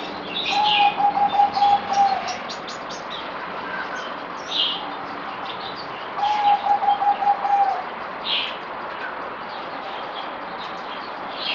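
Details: Merbok, the zebra dove, recorded 17 April 2020 during the fourth day of a deworming treatment: two fast, level trills of soft coo notes about five seconds apart, each near 1.5 seconds, amid scattered high chirps of other birds.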